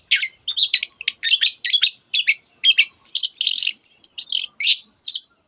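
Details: Long-tailed shrike in full song, mimicking canary and many other bird species: dense, rapid chattering of short twittering and buzzy notes with only tiny gaps, including some higher whistled phrases.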